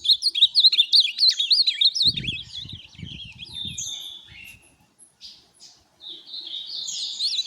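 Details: Ultramarine grosbeak (azulão) of tournament type pours out a quick, bouncing series of high, slurred whistles that fade after about four seconds. After a pause it gives scattered short phrases. Dull rattling handling noises are heard partway through.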